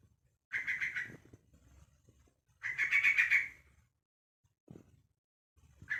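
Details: A young Yellow-vented Bulbul, one month old, calls to other bulbuls with two rasping, stuttering bursts, the second longer, a short low squeak, then the start of another call.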